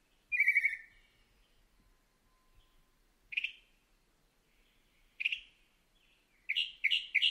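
A mockingbird sings separate, slightly harsh, mid-high phrases a couple of seconds apart, ending with three quick repeated notes; the background is otherwise quiet.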